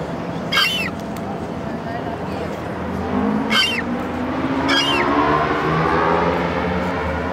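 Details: A young Western gull at the Ferry Building in 2014 gives three of its distinctive hoarse, falling peeps, spaced a second or more apart, over a steady low engine drone.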